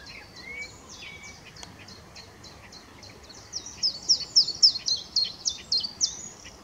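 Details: Mixed singing from a willow warbler at RSPB Middleton Lakes, 25 June 2023: a rapid series of short high notes, quiet at first, then growing louder and more emphatic in the second half, a few lower whistles early on.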